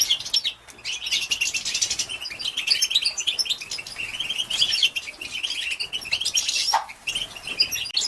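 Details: Female goldfinch batbata for stimulating males, European goldfinch: long spell of high, jangling twitters and thin whistles, with one lower downslurred note late on and a short dip near the start.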